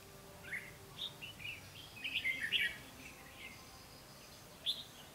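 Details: Decoy red-whiskered bulbul singing in a trapping session to draw in wild birds; scattered short whistled notes, a denser warbling run near the middle, then a lone note near the end.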